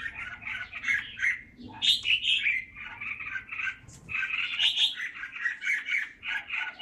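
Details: Red-whiskered bulbul from Ba Vì, Vietnam, pours out dense, jumbled warbling phrases in two long bursts, bright and chattery, over faint background noise.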